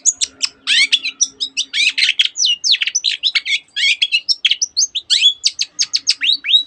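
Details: Long-tailed shrike in a fast, unbroken mimicry song including canary phrases and many other birds' notes: rapid chattering trills, quick downslurred whistles, and bright chirps packed tightly together, with a faint low hum early on.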